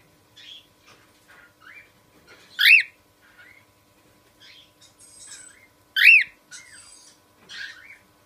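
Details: Cockatiel giving two strong upswept-then-dropping screeches roughly three and a half seconds apart, surrounded by quieter chirps, short whistled notes and soft chatter in a quiet room.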